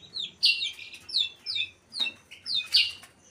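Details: White-rumped shama in breeding condition singing loud, clear whistled phrases, each a quick falling or upslurred note, delivered in bursts about every half second with short pauses between.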